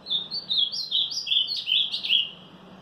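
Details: Ultramarine grosbeak (Cyanoloxia brissonii) singing strongly on 18 March, a Monday: a fast run of sweet, warbled whistled notes rising and falling over about two seconds, with a faint low hum underneath.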